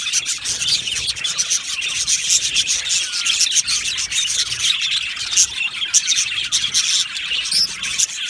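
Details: An aviary colony of budgerigars chirps nonstop, many birds calling at once in quick, scratchy, high-pitched twitters with occasional louder clicks and squeals.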